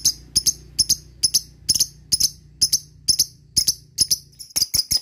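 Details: Lovebird lure call used to prompt other lovebirds to call back; short, sharp, high ticking chirps in pairs and triplets, repeated about twice a second, over a faint low hum.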